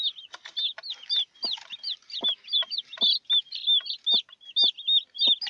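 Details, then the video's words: Newborn chicks beside their broody mother hen, peeping steadily: high, slurred chirps tumbling over one another, broken by short low clucks and clicks. "Pollitos recién nacidos con su gallina"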